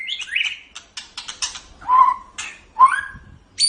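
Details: White-rumped shama tutor song for cage birds. A short high whistle is followed by a burst of sharp ticking notes, then two separate clear whistles that rise and flatten.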